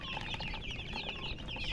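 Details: Baby chicks chirping: a busy overlapping flurry of high, thin peeps and short sliding cheeps from several chicks, with low rumbling background noise throughout.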